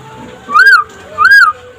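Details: White-rumped shama (murai pastol, trotol style) singing by day as a master for other shamas: two clear arched whistles, rising then falling, about three-quarters of a second apart.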